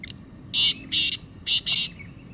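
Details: A wild (jungle) black francolin gives harsh, grating call notes in paired bursts, four loud rasping syllables within about a second and a half, over a low background hum.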